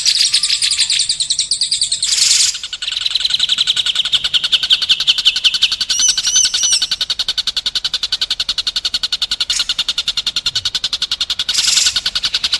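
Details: White-rumped shama song used to tutor contest and young birds: long, busy high-pitched trilling, rapid pulsed notes, a brief whistled flourish in the middle and short harsh bursts between phrases.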